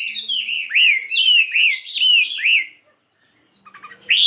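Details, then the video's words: A 72-gram fighting hwamei in morning song practice, changing its voice. It gives a series of five or six bouncing, U-shaped whistles, then a brief pause, a thin high slur, and a final loud note. "Tiếng Chim Hoạ Mi Chiến 72gam Hót Đảo Giọng Rất Hay"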